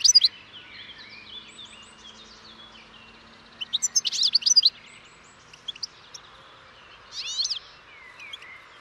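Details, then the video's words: European goldfinch song: soft rambling twitter interrupted by short loud bursts of sharp, tinkling chirps about three seconds apart. "O canto do PINTASSILGO/GOLDFINCH SONG"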